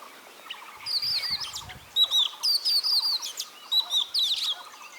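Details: Oriental magpie-robin in India singing a lively run of high, sweet whistled and warbled phrases, each about a third of a second, given in quick succession, over a steady softer chirping rhythm of another creature.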